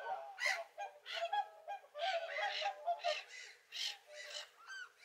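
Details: On a winter lake in Kuusamo, Finland, feeding whooper swans give loud trumpeting honks, some short and clipped, some drawn out, in irregular bursts about every half second; splashing or rustling noise also sounds between the calls.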